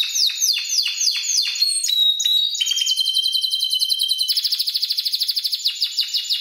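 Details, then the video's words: Spanish Timbrado canary, seven months old, trained on electronic timbrado recordings, sings fast descending swept notes about five per second, then a thin steady whistle, ending in a rapid pulsing trill. "Canario Timbrado Español"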